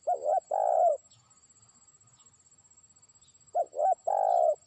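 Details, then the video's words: A trained spotted dove decoy calls toward a distant rival with two phrases about three and a half seconds apart: clipped double notes leading into a long, purring coo, against a soft rhythmic ticking background. "pikat terkukur) burung ajaran sudah mulai manggil lawan jauh"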